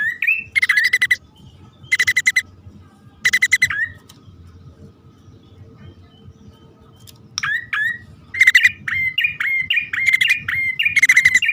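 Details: Bar-winged prinia pair, male and female, heard on a lure recording: several separated harsh buzzy bursts, then a quicker close stretch of rising chirped notes mixed with rattles near the end.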